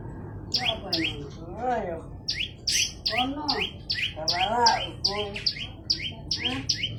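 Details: Vigorous olive-backed tailorbird song of rapid high paired chips and upslurs, repeated steadily, overlapped by lower, wavering, harmonic rising-and-falling calls from another source and a faint low hum.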